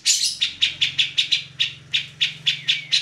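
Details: Grey-cheeked bulbul singing, recorded as a tutor for magpie robins and other songbirds: short, harsh, buzzy notes repeated about four times a second over a steady low electrical hum.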